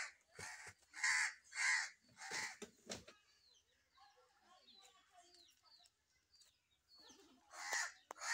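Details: Crow cawing: a burst of about six harsh, rasping caws in quick succession, then a quieter stretch with faint chirps from small birds, and two more loud caws at the end.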